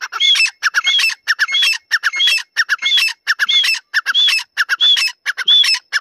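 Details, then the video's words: Teetar of Dakni or Irani type, a Grey francolin: evenly spaced, loud phrases of raspy notes topped by a curved whistle, repeated about every two-thirds of a second. "Dakni vs Irani Teetar Part 2 | Tetar voice Compilation"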